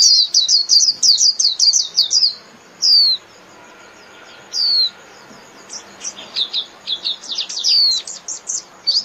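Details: Japanese white-eye singing to call the flock, starting with a fast high twittering run, then a few separate downslurred whistles, and finally a busier stretch of thin, high chirps and trills.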